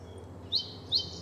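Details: A male song sparrow, responding to a simulated intruder's playback at very close range while wing-waving, gives two quiet, high, rising chips about half a second apart (faint soft-song notes) over a low steady hum.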